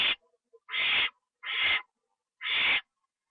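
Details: Owl heard on a live nest cam at 1:52 AM on 25 September 2011 while a treat is delivered and eaten inside: four harsh, breathy hissing screeches, each under half a second, spaced about one second apart, with brief faint ticks between.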